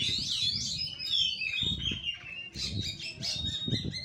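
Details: Fighting-style song of an oriental magpie-robin in the Kura-kura manner, with sweeping whistled slides and rapid chattering notes, rising and falling, and background thumps and low noise.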